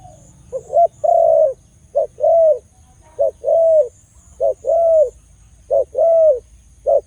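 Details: Khmer dove calling steadily with a big voice, six phrases of one short note and a longer rounded coo, repeated about once a second in an even rhythm.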